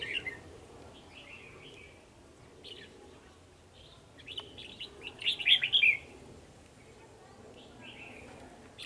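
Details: Male red-whiskered bulbuls, two, challenging a decoy bird at a trapping site on 9 December 2020; soft intermittent warbled phrases, a louder burst of rapid twittering notes around the middle, long quiet stretches.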